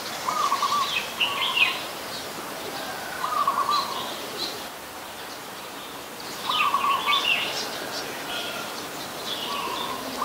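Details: Adult red-whiskered bulbul in Ubon Ratchathani, Thailand, recorded 26 December 2020: short bubbly whistled phrases recurring about every three seconds, mid-pitched notes paired with higher warbles, over steady hissing background noise.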